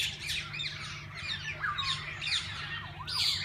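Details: Mixed parakeets in a walk-in aviary at a parrot park: overlapping harsh squawks and swooping whistled notes from several birds, with a constant low background hum.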